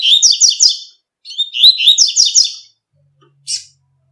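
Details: Double-collared seedeater singing in the tui tui style out in nature: two quick phrases of bright, slurred whistles that break into rapid buzzy trills, followed by a single short high note. No other sounds are heard.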